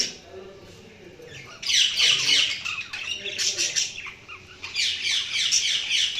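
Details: Budgerigars warbling: busy, grating chatter of rapid chirps and squeaky notes, starting soft then swelling into loud continuous twittering from several birds.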